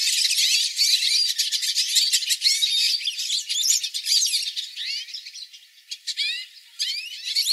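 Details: Flock of hooded siskins (Spinus magellanicus) singing, recorded live. Dense high twittering and chattering fill the first few seconds, then thin out into scattered short phrases and brief pauses before picking up again.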